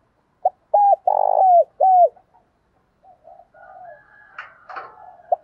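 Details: Spotted dove, male and female birds used for luring and provoking fights: a loud series of short cooing notes near 700 to 800, then a long trilled coo, followed by softer low coos and a brief harsh burst.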